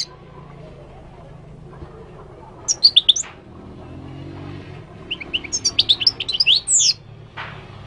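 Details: Moroccan goldfinch in Morocco delivering a brief twittered phrase, then a longer, richer run of bright liquid notes ending in a buzzy flourish, with quiet background hum.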